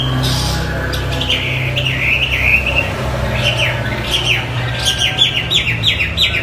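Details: Chinese hwamei singing actively as a tutor recording: rather faint, quick downslurred whistled notes repeated about three per second, growing more frequent toward the end over a steady low hum.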